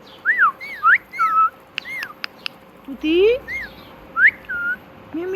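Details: Talking pet parrot. It gives several arched and falling whistled syllables in quick succession, a pair of clicks, then a longer rising nasal word. More arched whistles and a last low rising note follow over a quiet hum.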